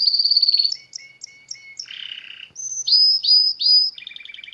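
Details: Singing canary with nature around it: a fast trill, a run of short high chirps over a thin lower tone, a buzzy rasp, then loud slurred whistles and a closing rapid trill.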